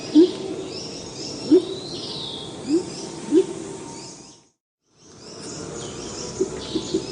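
Salvadori's Pheasant gives four short, deep, slightly rising hoots spaced about a second apart, over a steady hum of forest insects.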